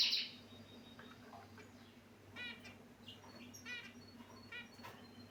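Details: Pet finches in a cage give scattered short, harmonic chirps, softer and spaced a second or so apart, with a brief louder note at the start and a constant low humming background.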